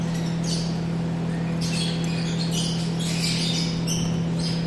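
Yellow-collared lovebirds give shrill, scratchy chirps in quick irregular bursts over a steady low mechanical hum.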